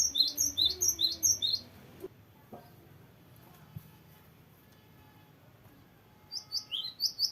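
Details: Cinereous tit (gelatik batu) in full long rolling song: quick runs of sharp, high two-part notes, one burst at the start and another at the end, separated by a quiet stretch with faint low hum and a brief thump.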